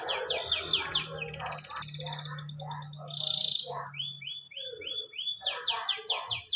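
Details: Canary singing as a prompt for a pet canary: buzzy descending sweeps, a bright whistled tone, rising slurred notes in series, then more rapid sweeps over a low hum.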